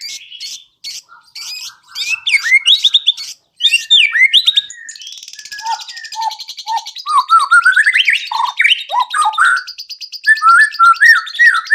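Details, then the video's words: White-rumped shama lure song played to make other birds sing and reveal their fills. Clipped high chips and whistles, then a buzzy chattering stretch, ending in a lively mix of swooping whistles and sharp notes. "PANCINGAN MURAI BATU AGAR CEPAT BUNYI BONGKAR ISIAN"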